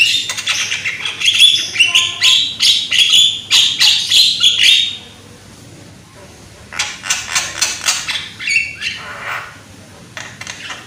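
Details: Loud young Javan myna lure song: a rapid burst of rasping, buzzy chatter for five seconds, then quiet, then another quick series of harsh clipped notes about two per second.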